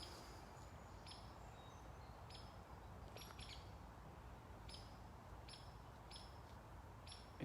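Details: American robin in wooded backyard gives thin, high, sharp alarm notes about once a second, uneasy at a person approaching too close, calming as he walks away; steady low rumble of wind or distant noise.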